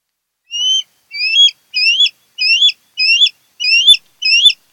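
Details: Osprey (Pandion haliaetus), one of a pair at their nest on Kent Island, MD, camera footage from 08-10-2018: seven rising, whistled notes, each sliding upward, repeated about every two-thirds of a second.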